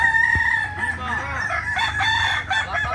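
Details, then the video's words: Kukuak Balenggek roosters at a joint practice session in Ampang Kualo, Solok city, May 2024; several long, harmonic, multi-note crows overlap and waver, with faint human voices in the background. "Ayam kukuak balenggek"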